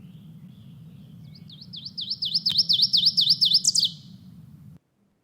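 Ovenbird song: a quick series of about a dozen bright, repeated two-part notes that build steadily louder, over a low background hum.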